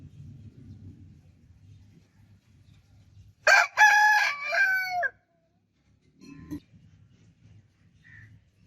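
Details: Single crow from a rooster: a bright, rough, multi-part call lasting about a second and a half with a dropping final note, then a short low sound and quiet background hum.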